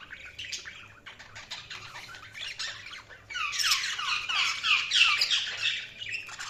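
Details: Budgies keep up fast, scratchy chatter that turns into a louder, harsh, buzzy warble halfway through, with rapid repeated notes about three per second over a faint background hum.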